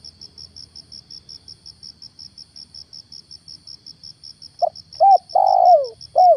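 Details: Spotted dove kept as a lure to bring wild doves down, morning: several seconds of only cricket pulsing, then a cooing phrase of a brief note, hooked coo, long falling coo and another hooked coo.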